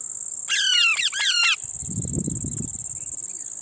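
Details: A parrot eating lemon gives a pair of harmonic, downward-sliding calls in quick succession, then soft low rustling. A steady high insect-like whine runs throughout.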